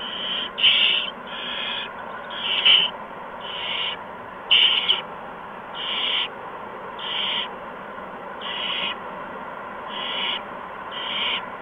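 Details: Owl at a nest with owlets receiving mice and a gopher on a March 2015 evening: rasping, hiss-like screeches repeated about every second, some louder and some softer, over a constant low hum.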